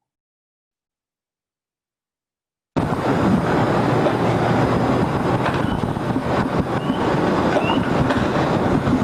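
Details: Nearly three seconds of silence, then steady broadband wind and vehicle-like rumble with no animal voice.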